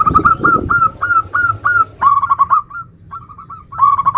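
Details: Local zebra dove in nutut song variation, meant to make other zebra doves sing: steady series of drawn cooing notes, then faster clipped notes after a sudden cut, with rumbling noise underneath.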